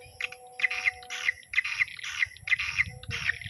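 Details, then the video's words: Swiftlet evening lure call for a bird house: buzzy chirped bursts repeated about once a second, each a rasping trill, with a low steady tone and faint rumble underneath. "Tarikan Magrib RBW Mini SP Pribadi Revisi 3"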